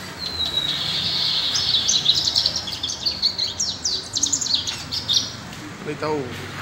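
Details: Lined seedeater song: a sustained high buzzy trill that breaks into rapid chirped and clicking notes, fading at the end with a brief low sound.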